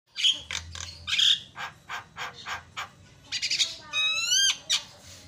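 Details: Javan myna song used to provoke other mynas: harsh squawky bursts and buzzy notes, then a run of rising whistled harmonic slurs near the end, with a low hum underneath.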